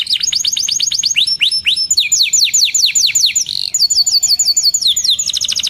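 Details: Canary singing loud and fast, a steady run of falling whistled notes in repeated series that change tempo, with a brief high trill near the middle.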